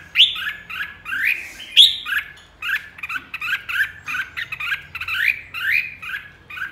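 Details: Red-whiskered bulbul flock leader singing a quick series of bright, warbled, rising-and-falling phrases, short notes tumbling one after another with brief gaps, clear and close over a quiet background.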